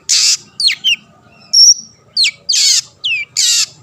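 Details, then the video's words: Long-tailed shrike singing steadily, used to provoke other shrikes into singing: harsh, hissing bursts alternate with sharp downslurred whistles and one thin, high, level whistle, a steady faint hum behind. "burung cendet gacor pendongkrak emosi lawan‼️ pancingan / masteran handal"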